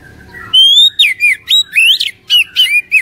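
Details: Song of an Oriental magpie-robin used to make a quiet caged bird sing: a sustained rising whistle followed by loud, fast, twisting whistled notes in short bursts, roughly four per second.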